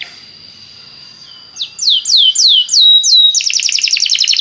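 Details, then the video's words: Belgian canary song meant to start other canaries singing: after a faint held tone, about six loud downward-curving whistles come roughly every third of a second, followed by a dense, fast, high trill. "O canto do canário belga faz com que seu canário cante sem parar"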